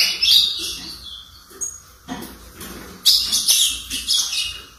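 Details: Juvenile brown ultramarine grosbeak, four months old and kept by an owner, with halting early notes: short scratchy chirp clusters separated by gaps, then a brighter burst of high twittering.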